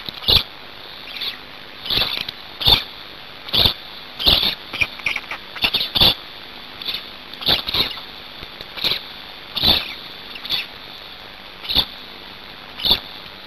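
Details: Black storks at a Hungarian nest during feeding, 5 May 2019 at 17:02; short harsh hissing bursts repeat irregularly about once a second, some in quick doubled pairs, over steady faint background hiss.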